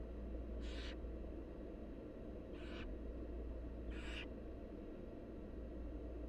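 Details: Wild barn owl nestlings being fed by their mother: three harsh, hissing screech bursts, each about half a second long and spaced irregularly, over a steady low rumbling hum.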